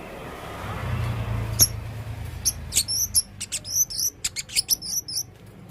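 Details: Male blue-crowned hanging parrot, red-throated, calling actively: after a quiet, low-rumbling start, a rapid run of thin, high, squeaky chips and short buzzy notes, about a dozen in three seconds.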